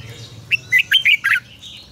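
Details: Red-whiskered bulbul, morning double-note song of the mature wild style for training other birds: one quick run of five bright, liquid chirping notes against a low hum.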